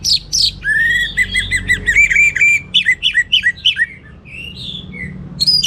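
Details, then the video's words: Orange-headed thrush in rich teler song: a long, rapid sequence of looping whistled notes rising and falling, then softer thin whistles and a final high squeak. "Suara Gacor Burung Anis Merah Teler Materi Melimpah 100% Jernih"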